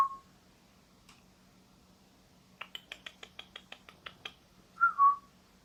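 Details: A young male vosmaeri eclectus parrot kept indoors as a pet gives a rapid series of about ten sharp clicks, then a short warbled whistle, over a faint steady room hum.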